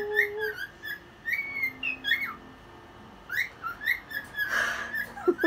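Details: At one o'clock at night, a dancing cockatiel whistles a lively series of rising and falling notes, pauses briefly, then resumes with quick upslurred whistles ending in a brief rushing noise.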